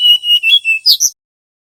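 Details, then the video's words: Brown-chested jungle flycatcher from Bali in its whistled nyiul (nyuling) song style: four clear, level whistles near the same pitch, about five per second, ending in two brighter, higher slurred notes. The recording is otherwise quiet. "Suara asli SRDC bali nyiul /nyuling"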